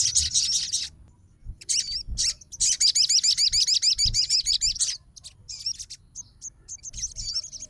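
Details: Fighter sogon responding straight away to another sogon's song: high, thin rising-and-falling notes delivered in fast rhythmic runs of about three per second, with gaps filled by brief high chips and faint low hum.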